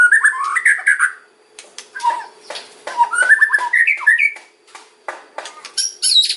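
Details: White-rumped shama in kretekan style, played to lure other shamas: bursts of crackling clicks alternate with rising whistled runs, separated by short quiet gaps, ending in high sharp notes; faint steady hum.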